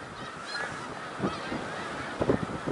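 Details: Great flock of snow geese at Middle Creek Wildlife Refuge, Pennsylvania, 1 March 2021, giving a steady wall of overlapping nasal honks, with a few louder yelps rising above it near the end.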